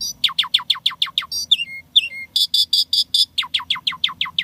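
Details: Asian pied starling (Jalak Suren) pouring out isian tembakan fill-in song. Rapid, evenly spaced downslurred notes, about six per second, break into low whistles and a run of buzzy bursts before resuming.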